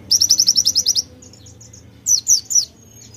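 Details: White-eye singing in full voice, a rapid 'nembak' burst with konin-style fill-in: about ten sharp high chirps in quick succession, then a gap and a few descending slurred notes.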